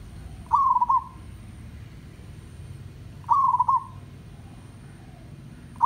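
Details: Zebra dove from a village, its song played to train other zebra doves to sing: a bubbling trilled coo with stuttered ending, repeated roughly every three seconds against faint hiss and a high steady tone.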